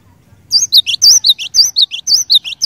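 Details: Cinereous tit singing energetically to trigger rival birds into song: a nonstop run of high, sharp whistled couplets, each rising note answered by a lower dropping note, about five phrases.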